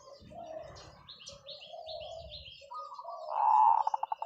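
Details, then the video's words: Zebra dove long call: a strong, burry coo near the end that breaks into a quickly repeated, fading series of pulsed notes. Other birds give soft chirps and twitters earlier. "เสียงนกเขาชวาต่อ ออดยาวๆ"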